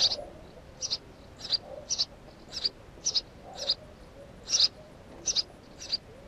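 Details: Nesting house sparrow sounding short, high chirps about twice a second, one louder double note midway, over a quiet hiss.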